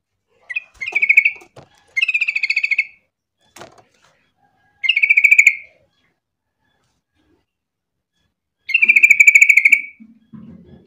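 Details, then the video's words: Sooty-headed bulbul in lively voice, used to lure other bulbuls into singing: four bubbly rippling phrases, each about one second, separated by pauses, with faint knocking sounds late on. "pancingan trucuk gacor biar trucukan lain ikutan bunyi"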